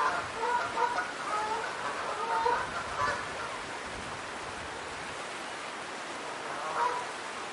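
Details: A daytime streamside recording of geese: a quick run of nasal, honking calls in the first three seconds, then a lull with only rushing water, and one more honk near the end.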